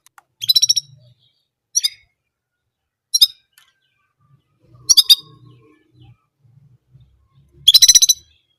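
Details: Orange German canary singing the same phrase over and over: five bright, buzzy trilled bursts spaced about one and a half seconds apart, the last the longest, with faint low rustling between.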